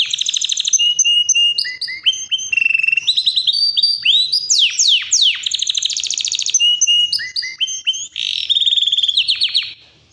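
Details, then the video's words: Yorkshire canary in powerful, non-stop singing: a loud, fast stream of varied phrases, with whistled notes, buzzy rolls, rapid rising and falling sweeps and chirpy trills flowing one into the next without pause. "Yorkshire canary powerful non stop singing"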